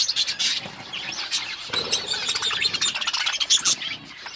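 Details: Budgies in assorted colours chirping, a busy stream of squeaky warbles and short whistled slides, loud and continuous.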